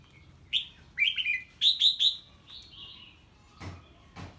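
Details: Red-whiskered bulbul singing as a strange bird calls nearby: a lively phrase of bright warbled notes, several quick slurred whistles in a row, then softer trailing whistles and two faint knocks.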